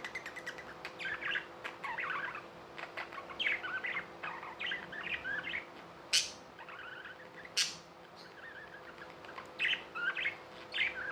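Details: Pet budgerigars chattering continuously with dense scratchy chirps and warbles, broken by two loud sharp clicks or squeaks; a steady hum lies underneath.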